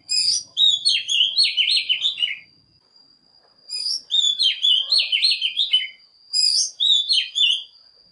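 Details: Decoy Oriental magpie-robin song for luring wild birds and stimulating morning singing: three separate phrases of quick, varied whistles and warbles, each roughly two seconds, spaced by short pauses over a faint steady high tone.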